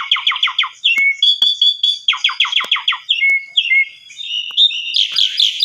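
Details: Asian pied starling lure song intended to make other starlings call back, recorded for morning use: groups of four or five quick chirps alternating with sharp whistles, repeated in sets, ending in a harsh burst.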